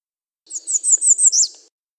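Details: American redstart song: a quick series of six high, thin notes repeated at an even pace, the last one swooping down sharply, over about one second.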